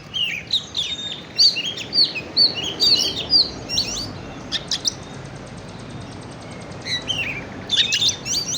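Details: Oriental magpie-robin lure song to stimulate birds: bursts of sweet whistled and chirped notes, loud phrases about every half second, then a quieter pause and renewed chirps.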